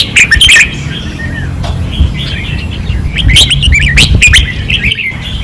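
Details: Red-whiskered bulbuls singing hard on a training perch, Pattani, 2024: clear looping whistles and chirpy phrases, loudest in the last two seconds, with a rumbling low hum behind.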